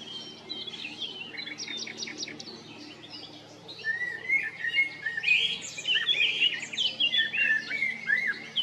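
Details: Male common blackbird recorded at Jarun or Prečko, Zagreb, Croatia, in April–May 2022: high chattering notes at first, then a louder run of varied fluty and squeaky warbling phrases.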